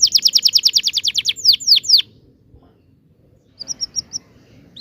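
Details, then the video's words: Canary giving a long rolling song meant to coax young canaries into singing: a rapid, even trill of high notes for over a second, three slower swooping notes, a pause, then four quick high chirps. "kenari gacor panjang TEMBAKAN NGEROL"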